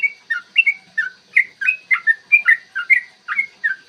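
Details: Energetic yellow-vented bulbul song in the long 'ropel' style, meant to stir rival bulbuls to sing and fight; clear morning sound. Rapid, continuous run of bubbly, upslurred and downslurred whistled notes, about two per second.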